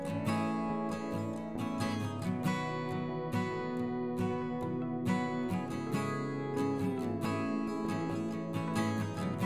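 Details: Strummed and plucked acoustic guitar music plays throughout, with no animal sound audible.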